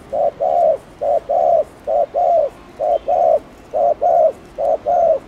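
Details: Thổ Đồng spotted dove, Chiêu and Gù coo styles, played to stimulate newly caught doves: five steady pairs of a short hoot and a longer warm coo, about one pair per second, with a low background hiss.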